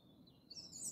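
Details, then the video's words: European robin singing in Malta near the runway at 4:30 am in January: a brief fragment of thin, high, sliding notes rising into a bright sparkling flourish, over a faint low rumble. "Robins singing"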